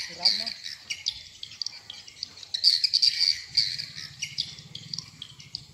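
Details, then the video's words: Swiftlet lure recording for farming houses, "sp rambut lmb" type: scattered short buzzy chirps, a louder rasping burst near the middle, then sparser twitters over a soft low hum. "Respon burung walet Suara walet sp rambut lmb Original"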